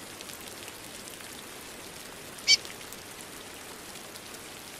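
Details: Rain falls steadily while a female chestnut-bellied seed-finch gives a single short, high chirp partway through.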